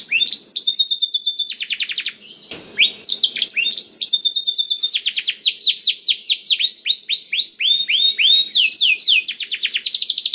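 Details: Black-throated canary in full song, meant to get other canaries singing: rapid trilled series of repeated swept notes changing pace, a brief pause near two seconds, then sustained fast rolling trills.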